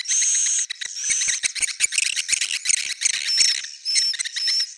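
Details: Swiftlet, original old-style sound: a buzzy twitter opening, then a string of rapid dry clicks, ending in three high whistled chirps spaced about half a second apart.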